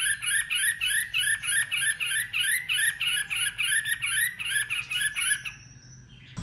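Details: White-rumped shama singing competitively in many voices: a long run of repeated harsh, buzzy notes about three to four per second, steady and even, stopping abruptly near the end.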